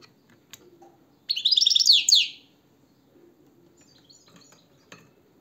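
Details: Goldfinch delivering a brisk burst of rapid, tinkling twitters about a second long, high and bright, surrounded by soft clicks, faint background chirps and low room noise.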